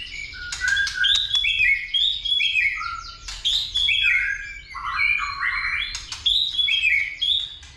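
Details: Fighting song of a white-rumped shama roused by a female: a continuous run of varied clear whistles, some rising and some falling, with short buzzy accents and no pauses.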